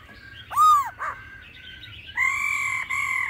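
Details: Laughingthrush song in a mature forest voice style, with female calls, played to rouse birds into singing. A loud arching whistle and a short buzzy note are followed by two long, level, harmonic tones.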